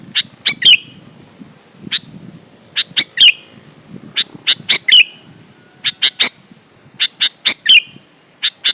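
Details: Lure song of a sooty-headed bulbul, meant to make other bulbuls answer: steady stream of sharp chips in pairs and triplets, with squeaky slurred notes recurring every one to two seconds.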